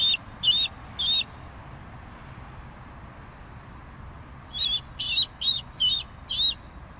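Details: Bald eagle calling: two bursts of thin, high, squeaky notes, first three quick piping notes, then after a pause six more in a rapid stuttering run, over a soft steady hiss.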